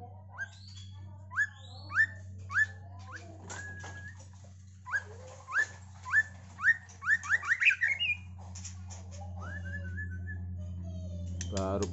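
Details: Caged Medan-type white-rumped shama, first time in the contest hanging ring as a prospective champion bird: rising whistled notes every half second or so, then a quick, rich run of upslurred phrases. A steady low hum runs underneath.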